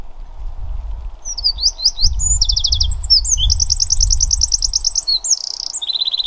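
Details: A Eurasian wren in the Pilica valley pours out loud, high, rapid trills and sharp chattering phrases in a fast tumbling stream, over a low rumble of wind.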